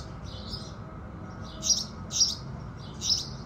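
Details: A few house sparrow chirps at sunrise, three louder high notes spaced roughly half a second apart after a softer opening, with low steady background noise.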